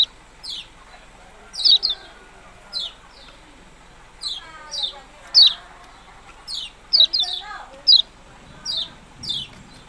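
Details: Yellow-bellied prinia giving repeated thin, downslurred chips, some in rapid triplets, over faint background sounds.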